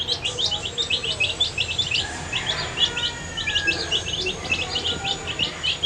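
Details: Dyed baby chicks having their food, a crowd of piercing little peeps rising and falling in quick bursts, with a faint steady high whine behind them.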